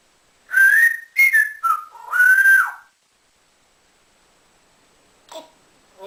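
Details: Male African grey parrot kept indoors as a pet, taught to whistle like a builder: four quick whistled phrases rising and falling, then near silence with a faint click.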